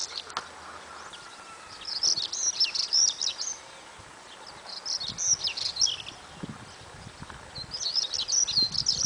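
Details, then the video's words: African stonechat singing: three high, scratchy warbled phrases about two seconds apart over constant rushing background noise and low rumble. "Conchemoro, càntigu - Saxicola torquatus - African stonechat - Saltimpalo"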